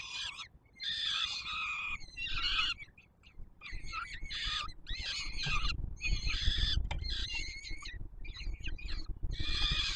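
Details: Peregrine falcon chicks at a Warsaw nest on the Palace of Culture and Science, Poland, 7 July 2022, screaming for food from the male: loud harsh harmonic cries in about eight bursts, with deep wind-like rumble.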